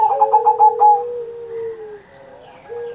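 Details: Zebra dove in active song on Indonesian Independence Day, used to prompt other pet doves to sing; one short burst of quick vibrating coos, then a long, fading low tone.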